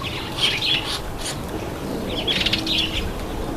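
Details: Red-headed finch taking a bath: brief high chirps in two small clusters, mixed with fluttering splashes of water.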